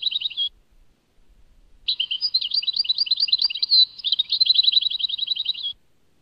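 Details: European goldfinch performing the Tadmait song: a brief trill, a pause, then nearly four seconds of continuous, high, liquid twittering with quick slurs and a closing fast trill.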